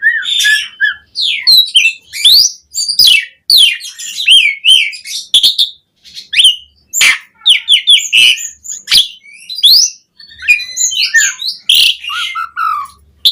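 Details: Asian pied starling singing energetically as a lure for caged starlings: long rambling sequence of scratchy chatter, piping whistles and sharp clicks in bursts separated by brief gaps.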